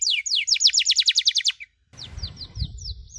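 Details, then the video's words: Canary chirps intended to train other canaries in cuit-cuit sounds: a quick series of sharp descending notes for about one and a half seconds, a short gap, then fainter notes over low rumbling background noise. "MASTERAN KENARI SANGAT COCOK UNTUK PAUD YANG LAGI BELAJAR BUNYI CUIT CUIT"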